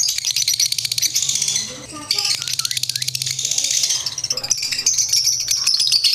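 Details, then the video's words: Lovebirds chirping as competition bait: steady, fast rattling chatter of shrill high notes pulsing several times a second, thinning briefly near two seconds before resuming, ending with thin whistled squeals. "Long-Lasting Lovebird Bait for Competitions | Full of Typing and Chirping Sounds"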